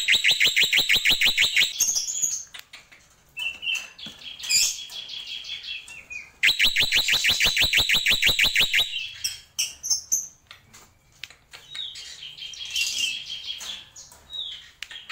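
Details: Black-winged myna (jalak pito, jalak putih) giving a tembakan song: loud bursts of rapid, evenly repeated sharp notes about three per second, broken by shrill whistles and scratchy chatter, then another long rattling burst.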